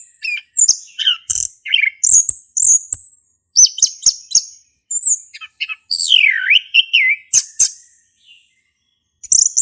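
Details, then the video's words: Singing male orange-headed thrush, ngeplong style, meant as a prompt for a bird that has stopped singing: fast, varied high chirps and whistles, with a loud downward-then-rising swoop near the middle. "Anis Kembang Jantan Gacor buat pancingan anis kembang macet bunyi"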